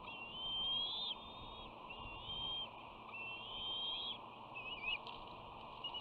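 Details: Young bald eagle at the West End nest, recorded by a nest camera on 13 June 2019 as one sister returns and is met aggressively by another. Long, thin, slightly rising whistles, about three drawn-out notes with brief pauses, over steady background hiss.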